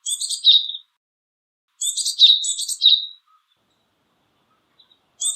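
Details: Japanese tit uttering a string of high buzzy calls: one rasping note, then a quick double or triple burst of harsh notes with whistled tails, a pause, and another call beginning.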